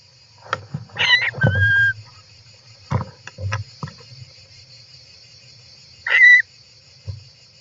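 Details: European roller inside its nest, filmed by a nest camera on 18 July 2024: two loud harsh bursts, each ending in a short whistled note, plus scattered soft thumps and scraping from movement in the nest.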